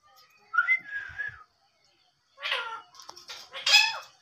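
An Indian ringneck parakeet gives a clear, slightly wavering whistle, then after a pause two harsh, raspy, speech-like bursts.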